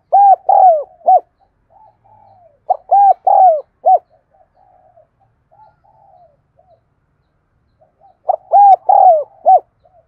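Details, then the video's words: Spotted dove used as a lure bird delivering three cooing phrases of a stutter, two mellow sustained coos and a short final coo, separated by softer murmured notes. "Tiếng Chim Cu Gáy Thúc Gù Gáy Gọi Mới Nhất || Chim Cu Gáy Mồi"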